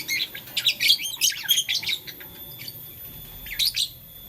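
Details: Blue, lutino and green lovebirds at play with a flower, chirping in the morning; a dense burst of shrill, squeaky chirps through the first two seconds, a pause, then a short final flurry.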